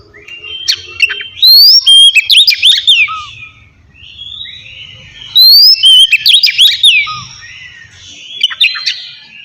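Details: Oriental magpie-robin (kacer) in easy ngeplong style, intended to encourage lazy kacer to sing: two loud bursts of rich whistles and rising sweeps, separated by a few seconds of quieter, lower background sound.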